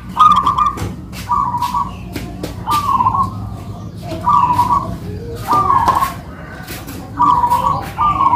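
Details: A local-type zebra dove pair duetting in perkutut manggung style, owned birds: short, rippling coo phrases repeated roughly every second at an even pitch, several led by crisp clicks, over a faint background rumble.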